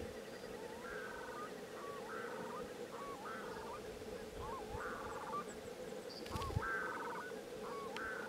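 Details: A male willow ptarmigan (Lagopus lagopus) stands guard while his mate feeds on willow buds, giving short, nasal, stuttering notes, some rising, at irregular intervals of about a second, over a steady low hum.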